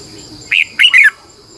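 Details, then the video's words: Red-whiskered bulbul singing in the morning as a lure for training other bulbuls: a brief whistled note, then a slurred, warbling double phrase, over faint background hiss. "Luyện chào mào hót sáng 2020, Giọng kép xoắn dài hót căng, Chào mào mồi gọi bổi hót hay"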